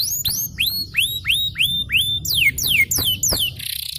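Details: Long song of a champion yellow canary: evenly spaced rising arched whistles, about three per second, then quicker falling slurs and a short buzzy rattle at the close.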